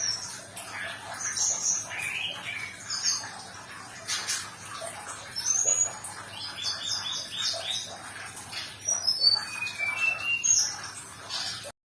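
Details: Sumatran leafbird in a therapy recording intended to coax a silent bird back into song. It delivers a varied, busy run of high chips, squeaks and slurred whistles, loudest bursts midway and near the end.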